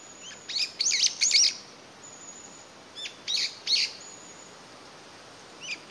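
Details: A lone brown-eared bulbul in Japan in May 2021, calling hard as if looking for companions or separated family, pausing to listen with its head tilted: loud, shrill, squealing calls in bursts of two or three, a second or two apart.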